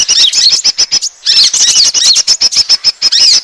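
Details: Asian glossy starling calls played as a bird lure: a steady stream of piercing, thin, metallic chirps and squeaks repeated quickly, with one short gap near the start.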